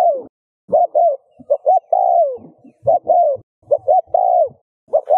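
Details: Spotted dove cooing to prompt other doves to coo. Rapid phrases of paired short hoots and long falling coos, with low knocking and rumbling sounds running underneath.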